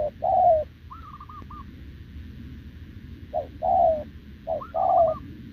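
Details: Wild-caught short-legged spotted dove, 6 November 2024, cooing alongside a decoy: three two-part coos, short then long and falling, separated by higher wavering trilled notes and a quiet pause.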